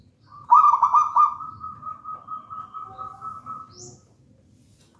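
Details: Local wild-type zebra dove from a pisang raja banana plant nest, singing eagerly: a quick run of stuttering coos that trails into a long, steady, purring tone lasting about three seconds.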